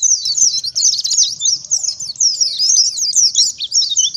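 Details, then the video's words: Oriental white-eye in wild-style song used to lure wild birds: continuous high, rapid twittering with jumbled slurred chirps and no pauses. "BURUNG PLECI gacor ngalas nembak || PANCINGAN PLECI NGALAS"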